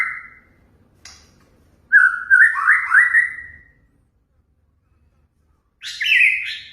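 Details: White-rumped shama singing to provoke rival birds into song: a short whistled note, then a long fluting phrase of warbled slurs, a quiet gap, and a final buzzy, higher phrase.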